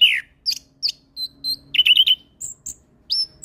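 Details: Orange-headed thrush in full, chatty song rich in fill-in phrases, played to train and provoke young birds: a loud downslurred whistle, then spaced sharp chips, a quick warbled cluster and high thin whistles, against a quiet background.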